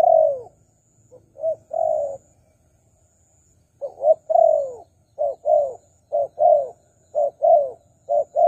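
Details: Lure call of a spotted dove for wild doves: a long falling coo, then a pause, then a quickening run of short paired coos and drooping notes, over a thin constant high tone.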